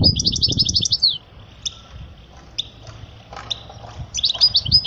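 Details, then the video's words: A European goldfinch's tutoring song for young birds opens with a fast tinkling trill, followed by scattered single chirps about every second, then another twittering burst at the end. "أجمل تغريدة لطائر الحسون لتعليم الفراخ الصغار"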